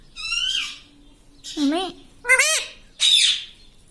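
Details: Talking parrot, kept as a pet and said to say "mitthu" and "mummy", giving four separate voice-like harsh phrases, some sliding down, others wavering, each about half a second long.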